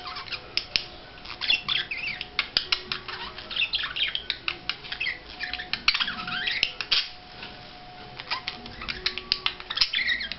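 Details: Budgerigar during courtship display, giving a steady run of rapid chattering warbles: short buzzy and squeaky notes several per second, with clicks and faint indoor background noise.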